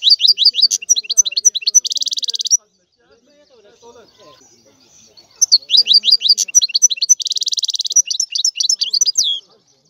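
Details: European goldfinch singing: rapid tinkling twitters and liquid notes, then a dense buzzy trill, in two bursts separated by a quiet pause of about three seconds.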